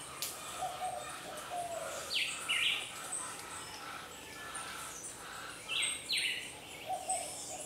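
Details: Puerto Rican flycatcher (Myiarchus antillarum) defending its nest against an attacking pearly-eyed thrasher, a predator of eggs and chicks: sharp, high, rising whistled calls in short pairs a few seconds apart, with lower chattering notes and faint background birds.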